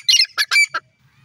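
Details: Grey francolin (teetar), described as female, giving a short burst of four harsh, squawking notes that end abruptly into quiet, followed by faint low background noise.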